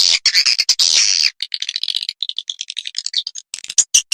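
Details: Lure recording for attracting swiftlets: a long harsh buzzy burst, then a run of rapid clicky chirps and twitters at varied pitch, ending in louder scattered notes.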